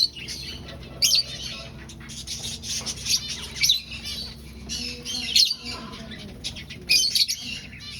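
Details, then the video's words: Aviary finch colony at breeding time, birds seeking a nest: busy high-pitched twittering from several finches with sharper, louder squeaky bursts near the first, fourth, fifth and seventh seconds, and faint scraping noises. "Finch Sounds"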